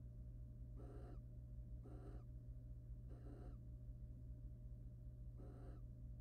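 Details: A wild barn owl couple courting in a nest box, the male preening and then mating with the female; four airy rasping hisses, the last after a longer pause, over a constant low hum.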